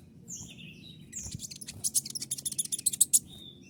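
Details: Brown-throated sunbird (kolibri ninja) delivering its 'tembakan' shooting song. Thin high whistles lead into a fast, accelerating run of sharp, piercing ticking notes over a low background hum.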